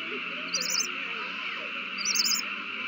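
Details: At a nest on 3-21-20, owls in a prey frenzy after a mouse is handed over: two short, high chittering bursts about a second and a half apart, over constant background hum.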